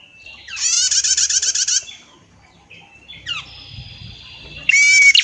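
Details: Female red-headed prenjak calling with a long rattling buzzy trill, a pause, then a thin drawn-out whistle and another loud buzzy burst with a bright whistled note; faint low rustling in between.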